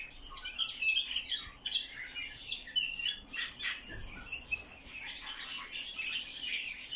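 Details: Eurasian blackcap singing a dense, fast warble of chattering, scratchy notes mixed with brief clearer whistles, running without pause for about seven seconds.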